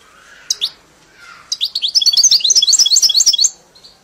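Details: Caged European goldfinch, tutored on the 'mili' song style, sings two quick high notes, pauses, then bursts into a two-second run of rapid tinkling, twittering high notes that rise and fall.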